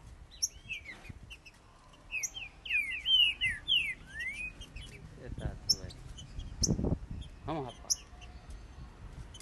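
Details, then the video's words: Green-winged saltator males competing in song: a run of rich whistled slurred notes mid-clip, with scattered high chips and some faint speech in the background. "QUE DISPUTA TOP DE TRINCA FERRO!"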